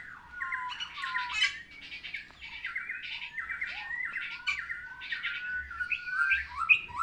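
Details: Long-crested Bali myna in full song: a varied run of loud whistles, harsh chatters and squawks, delivered in rapid, mostly high-pitched phrases with little pause.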